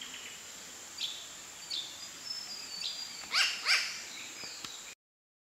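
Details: New Caledonian crow giving harsh, hoarse alarm calls while showing vigilance behaviour and beak-wiping: a few soft calls, then two loud raspy ones close together, over a steady high hiss.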